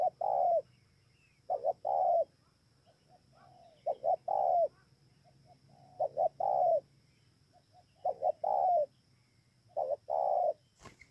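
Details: Repeated spotted dove song, Bờ Y, Kon Tum, Vietnam, 28 November 2017. About six phrases of two brief notes plus a long soft coo, evenly paced every two seconds or so, in a quiet setting ending with a click.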